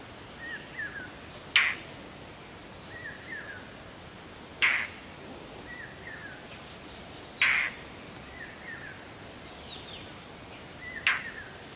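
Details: Indian roller giving loud, harsh rasping bursts about every three seconds, four in all, each followed by a short falling chirp; quiet background otherwise.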